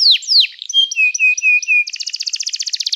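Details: Canary singing in a training recording: two falling whistles, a row of clear level piping notes, then a rapid pulsing trill.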